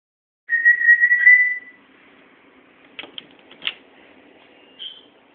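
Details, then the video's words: A pet bird whistles a steady, high note for about a second, copying a fire alarm, then gives a few soft clicks and a brief higher note while chittering to itself; bird imitating a fire alarm. "fire alarm"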